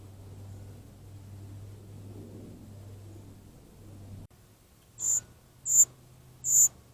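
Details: A young gray catbird at a bird bath, 30 July 2024, whining for attention it doesn't get, gives three thin, very high begging notes about once a second after a stretch of low hum and background noise.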